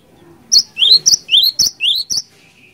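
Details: Cinereous tit singing as a lure, a bright series of about six loud notes alternating short high whistles with rising slurred notes, repeated quickly within two seconds over a quiet background.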